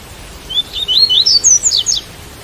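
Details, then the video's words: A white-collared seedeater gives an extended song over rain: roughly nine rapid, high slurred whistles climbing in pitch, ending in a few short falling notes, with steady rain hiss behind. "Coleiro Tui Tui - Com Som De Chuva"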